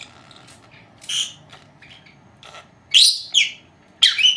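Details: Pair of young female lovebirds, four months old, chirping at home during their nap; faint scattered peeps give way to loud, scratchy, rising squawky chirps in bursts near the end, indoors.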